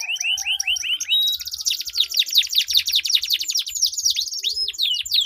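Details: Canaries in a singing duel, a long rolling song used to coax silent canaries into singing: rising swoops repeated quickly, then a dense high buzzing trill filling the rest, with faint low thumps beneath.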